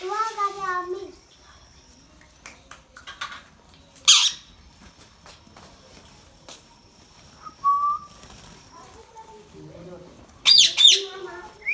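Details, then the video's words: Indian ringneck parakeet talking, with harmonic speech-like phrases at the start and end, a sharp harsh screech in the middle, and soft scattered clicks between. "indian ringneck parrot talking"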